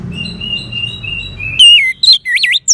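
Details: Orange-headed thrush song: soft, high whistled phrases at first, then loud, clear looping whistles that sweep up and down, given in quick bursts with short gaps.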